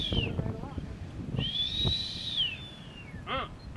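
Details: Blue-footed booby on North Seymour Island, Galapagos, in April; a single long, high, arched whistle, with short pulsed honks before and after it and steady wind in the background.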